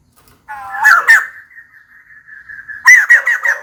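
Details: Female white-crested laughingthrush calling for a mate, giving a short rising harmonic phrase, then a thin steady tone, then a burst of loud jerky laughing notes.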